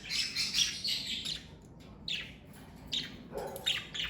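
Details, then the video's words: A parakeet from a pet family gives a long scratchy warble, then a few short buzzy chirps spaced about a second apart. "Birds Chirping Sound Effect!"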